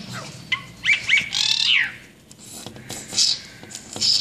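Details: Brahminy starling calling: quick chirpy notes, then a descending harmonic squeal and several hissing, rasping bursts in a loud, close series.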